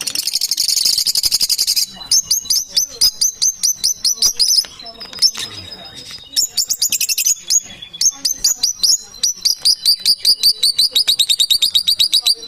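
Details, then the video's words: Parrots chattering: high, dense twittering that first forms a continuous buzzy warble, then breaks into quick series of sharp repeated chirps with short pauses between bursts, the rapid notes running on steadily to the end. "Beautiful sounds, parrots are."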